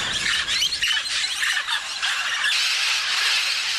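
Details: Scarlet and blue-and-gold macaws at the Tambopata clay licks raise a dense chorus of harsh, grating screeches, high and raucous and overlapping without pause.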